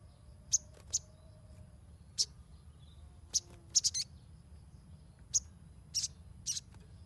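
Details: Sunbird sounds played to encourage untrained young birds: crisp high-pitched chips, some single and some in tight clusters of two or three, at uneven intervals, over a faint low rumble.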